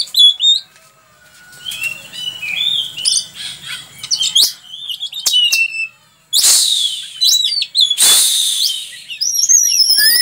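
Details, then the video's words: Busy oriental magpie-robin song used to teach other birds: scattered whistles and clicks building to rapid, varied phrases, with two loud broadband rustling bursts in the second half among the continuing high notes. "Burung Kacer Gacor untuk Masteran"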